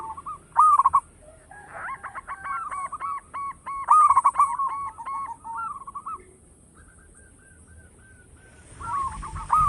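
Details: Loud song of a local zebra dove, kept as a lure bird: bursts of rapid, clipped coos alternate with long even runs of repeated notes that rise and fall slightly, with pauses between phrases.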